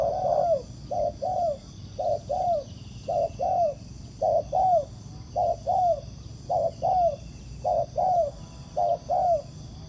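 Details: Wild spotted dove reacting to a ground decoy during trapping, cooing in a very regular series: short low note followed by a longer downward-curving note, around fourteen such pairs, over a faint constant high hiss.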